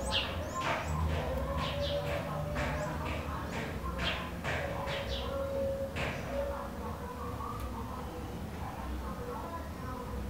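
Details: Bewick's wren nesting in a wooden garden birdhouse in northern Ciudad Nezahualcóyotl, State of Mexico, giving rough, buzzy call bursts repeated in quick irregular runs over a steady low hum.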